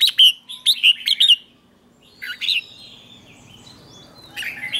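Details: Red-whiskered bulbul lure song used to attract wild birds: a quick burst of bright warbled notes at the start, a shorter phrase midway, then softer chirps from other birds near the end.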